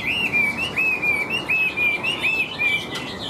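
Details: Chinese hwamei, a big caged bird with yellow legs and bill, repeating a clear, even whistled note about three times a second, each a short arched slur.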